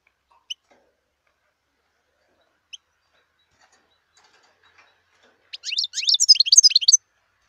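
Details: Wild European goldfinch: two isolated, sharp high chips spaced apart over a quiet stretch, then a sudden quick burst of jumbled, tinkling twittering song near the end.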